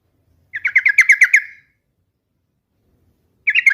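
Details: Yellow-vented bulbul singing a quick bubbling phrase of about seven chattering notes near one pitch, lasting about a second, then a pause before a second burst begins.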